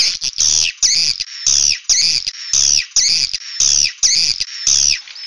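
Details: Swiftlet 'suara inap' roosting call: sharp, high chirps repeated about once a second, each a bright downward-sweeping note with a brief lower buzz, in a steady regular pattern with short silences between.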